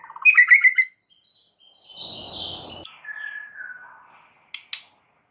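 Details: White-rumped shama song played to make a mute bird respond: a short loud chattered burst, a rasping buzzy passage, soft descending whistles and two sharp ticks.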